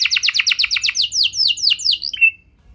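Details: Singing canary used as a lure to get other canaries singing, delivering a rapid string of about a dozen sharp descending notes, then slower downward slurs and a brief closing buzzy twitter before silence.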